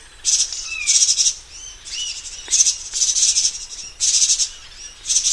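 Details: Taiwan barwings recorded between 2012 and 2018 give harsh, buzzy chattering bursts about once a second, mixed with short clear whistled notes, with no other sounds in the background.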